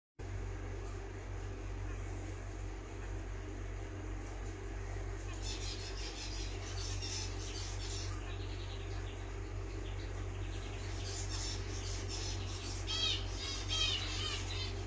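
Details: Breeder male full orange mutation zebra finch giving bursts of short, nasal, buzzy notes over a steady low mechanical hum.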